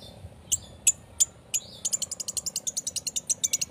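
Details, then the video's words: Long-tailed shrike song used as a lure to provoke singing; sharp, very high ticking notes, at first spaced about a third of a second apart, then speeding into a rapid run of about five notes per second. "Cendet Speed rapet - PANCINGAN CENDET"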